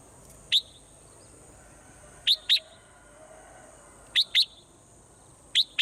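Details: A swallow in the morning gives brief, sharp high chips, single or in pairs, spaced a second or two apart against a faint steady hiss.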